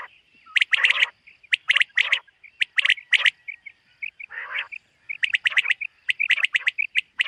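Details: In a summer meadow one 2023 morning, a common quail gives bright, clicking notes grouped in twos and threes, nearly once a second, with a harsh nasal burst in the middle of the run.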